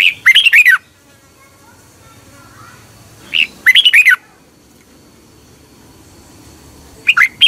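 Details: Red-whiskered bulbul in Thailand, kept caged, sings short bubbly phrases of quick warbled notes, repeated roughly every three seconds; played each morning to train caged birds, quiet background with a faint hum.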